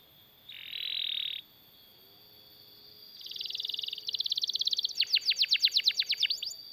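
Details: Canary in full long rolling song, used as tutor song and to prompt other canaries to sing: a buzzy, harsh trill, a pause, then rapid repeated chips building into a fast, strongly pulsed rattling trill, with a steady high tone behind.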